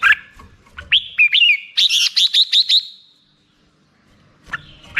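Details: Black-crested bulbul song: slurred whistled notes leading into a rapid, evenly repeated series of bright chirps, then silence before a final burst.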